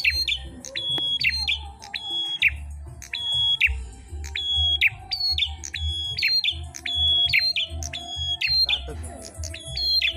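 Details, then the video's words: Competing Ashy tailorbirds, locally prenjak klawu, pour out a steady string of high level whistles, each ending in a falling chip, about fifty phrases a minute, with people talking and a low hum behind. "PRENJAK MERAH GACOR TARUNG"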